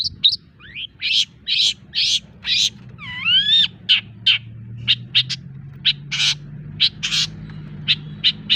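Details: Long-tailed shrike song used as a tutor recording to excite other birds: varied harsh, buzzy bursts, sharp chips and a rising, harmonic whistled slur in the middle, with a low steady hum beneath.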